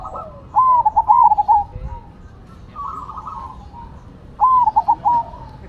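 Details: Zebra dove (perkutut) song, Cemani and Silver birds singing against each other: a long rolling coo phrase, a softer middle passage, then another stuttered run of mellow notes over low background noise.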